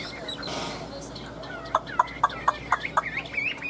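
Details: Caged Chinese hwamei worked up and singing. A soft noisy rustle opens, then six crisp, evenly spaced notes, and finally a couple of rising whistled phrases at the close.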